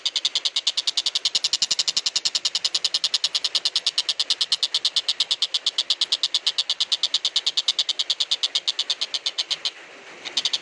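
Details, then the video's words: Tenkek buto kingfisher, recorded at length for training magpie-robins and green leafbirds. A rapid, grating train of repeated notes runs continuously, breaks off briefly near the end, then resumes. "Burung Tenkek Buto"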